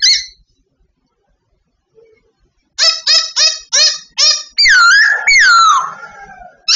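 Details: Babbler song recorded during training. Near-silence gives way to a fast run of about six short rasping, ringing notes, then two long wavering whistles that fall in pitch.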